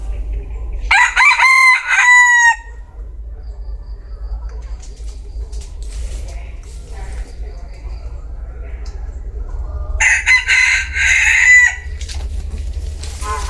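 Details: Bantam chicken crowing twice, about eight seconds apart: each crow is a loud, strained, multi-note cry lasting roughly one and a half seconds over a low background rumble.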